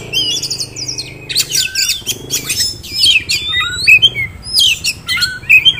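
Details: Oriental magpie-robin kept in a cage in Kisaran, raised as a contest prospect, delivers scratchy, squawking notes mixed with clear rising and falling whistles in irregular bursts, with a low droning background.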